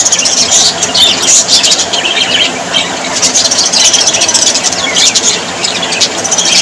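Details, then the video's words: Cheerful budgerigar flock chatter, a busy mix of shrill chirps, trills and short scratchy notes running continuously, with faint low hum underneath. "Australian parrots voice ☺️ Parrots very happy 😊"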